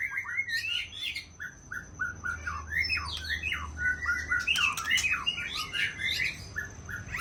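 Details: Aceh white-rumped shama, young and wild-caught, pouring out a fast, varied stream of chattering and whistled notes with harsh high accents, quieter and more jumbled, against a low rumbling hum.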